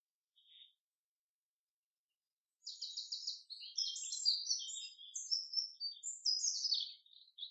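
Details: Forest song of a common chaffinch, quiet at first, then a rattling series of rapidly repeated high notes running into a tumbling cascade of brighter notes that lasts several seconds.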